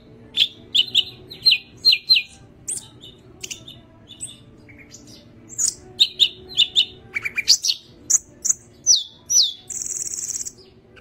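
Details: Greater green leafbird with a yellow head, singing hard with its wings opened; repeated paired whistled notes, quick trills and warbles, ending in a long harsh buzz.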